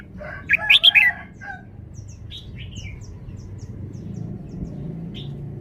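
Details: Red-whiskered bulbul, a caged bird showing off its song phrasing: a quick burst of loud, clear whistled notes near the start, then scattered faint high chirps over low background rumble.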